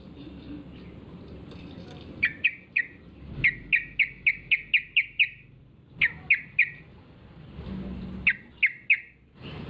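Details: Yellow-vented bulbul lure call intended to set other bulbuls calling: repeated series of quick, sharp, falling chip notes in groups of three to seven, separated by short pauses.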